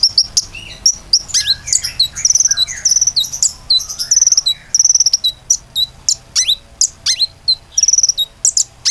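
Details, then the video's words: Common iora song used to coax other birds into singing: a steady stream of sharp, high chip notes and quick downslurred whistles roughly twice a second, with soft lower warbling in the background. "PANCINGAN KONIN GACOR AMPUH‼beneran bisa gacor"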